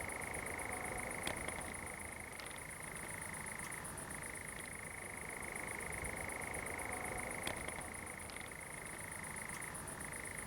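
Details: At night on 7 July 2020 in a pine grove at Zamudio, Txorierri, Bizkaia, among glowworms, a European nightjar suddenly starts churring in a long, unbroken mechanical trill that briefly dips lower now and then, over a steady high hum of crickets.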